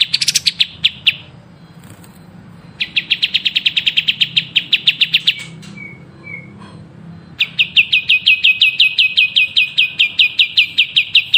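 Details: Songbird singing a lively 'gacor' masteran song: three bursts of rapid, evenly repeated high chirps forming bright trills, the first short, the later two longer and steady, separated by brief pauses over a faint low hum.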